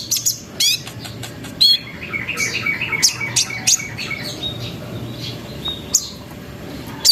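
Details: Sunbird lure song to set off other sunbirds, rolling and trilling. High sharp chips alternate with a lower, fast, stuttering trill of evenly spaced notes in the middle, over faint background hum.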